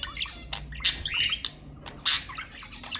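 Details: Budgerigar sounds for encouraging pet birds to mate: two loud harsh chirps standing out over soft continuous twittering.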